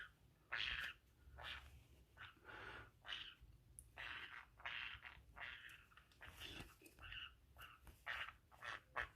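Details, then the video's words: Pet female green-cheeked conure indoors, burrowing into and chewing a pocket while making strange noises. Soft, scratchy chirps and squeaky bursts come irregularly, mixed with rustling and scraping of fabric in a small room. "Green Cheek Conure making Strange Noise"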